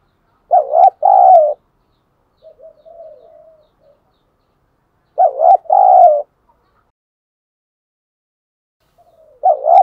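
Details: Decoy spotted dove urging wild birds to come and fight, thổ sấm voice style. Loud two-part coo phrases recur about every five seconds, with soft murmured notes between them and clean silence around.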